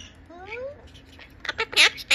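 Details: A pet green monk parakeet, a four-year-old male, asks its mother for food. Faint rising whistled glides come first, then a quick burst of four loud, grating squawks closes the sequence indoors.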